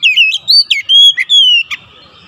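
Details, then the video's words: Provoking song of an Oriental magpie-robin, played to set other magpie-robins singing: clear whistled phrases, some slurred and dipping, others long and steady, ending in a sharp note and faint hiss. "PANCINGAN KACER langsung gacor ngotot"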